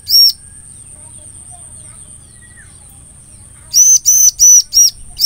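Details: Bar-winged prinia song, a recording favoured as a lure for catching the same species: one sharp high note, a pause, then five loud arched chirps in quick succession over a steady thin high whine and low hum.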